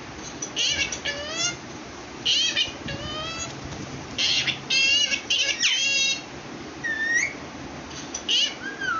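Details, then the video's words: Parrot trying to say "Allah", producing a rapid run of varied, sweeping, harmonic notes, some rising and some falling, clustered in bursts over faint background hiss. "Parrot Recording 🦜 trying says Allah"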